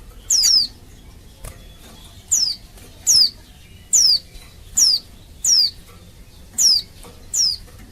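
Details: Female Oriental white-eye calling males to draw them into singing; clear high downslurred whistles repeated at fairly even intervals, a little more than one per second.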